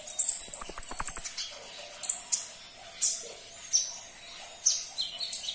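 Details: Konin, the olive-backed sunbird, kept caged: opens with a long, high thin whistle over a brief rapid clicking, then separate sharp high chips spaced about a second apart.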